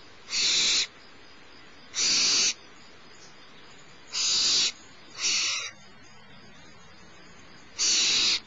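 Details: At Starr Ranch, the littlest barn owl nestling begs while the female feeds it around 10:30am, 6 March 2011: rasping, breathy screeches about half a second each, five in eight seconds at uneven spacing.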